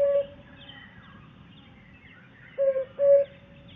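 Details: African cuckoo song, compared with the common cuckoo: soft, hollow, low paired 'hoop-hoop' hoots on an even pitch about half a second apart, over a faint background hiss.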